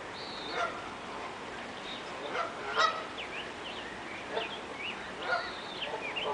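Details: Canada geese, a mother with her goslings heading upriver, one struggling to keep up: short, nasal honks with quick up- and downslurs, scattered unevenly over steady background hiss, probably moving water.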